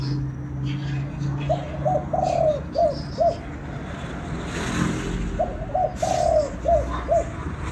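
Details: Spotted dove in Vietnam cooing to excite a decoy bird: two clear phrases of short hoots around a drawn-out middle note, repeated after a gap, amid low humming and a brief noise burst between them.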